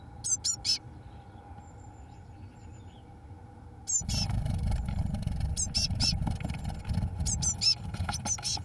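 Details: On 1 June 2012, day 21, the first two Eurasian blue tit chicks fledge. Scattered high, sharp chirps come in short clusters. A steady low rumbling noise rises partway through.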